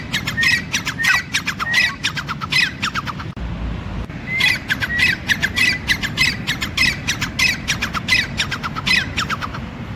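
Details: Long bout of grey francolin calling from a bird active because it suspects a kite nearby: repeated grating squawks in fast runs, a brief pause near the middle, then the harsh series resumes steadily.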